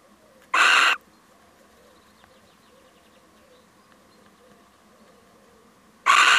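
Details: Male little owl dropping by, perhaps alarmed, utters a rough, hoarse screech. A long quiet gap of about five seconds follows before a second identical harsh call. A faint constant hum lies underneath.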